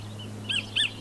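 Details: Kotare, New Zealand kingfisher: two short harsh notes in quick succession, the second louder, over a low steady hum.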